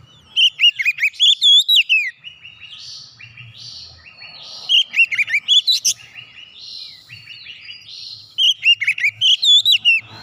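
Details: An oriental magpie-robin (kacer) in full song, meant to bring a quiet bird back into voice: three repeated bursts of rapid, high looping whistles, with softer chattering notes filling the gaps.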